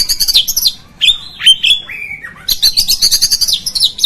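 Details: Oriental magpie-robin song meant to provoke other magpie-robins: clear slurred whistles dropping in pitch, followed by a fast run of bright, buzzy repeated notes.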